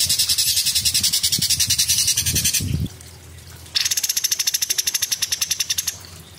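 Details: Cucak cungkok in rapid-fire song. A fast, high, rattling series of buzzy pulses breaks off after nearly three seconds, and after a short silence a second rapid, even burst of sharp notes follows.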